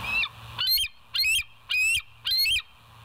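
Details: West End bald eagle on a nature live cam, 30 August 2023 at 07:04 in the morning; five harsh, high piping chirps, each rising then breaking, spaced about half a second apart against a quiet low hum.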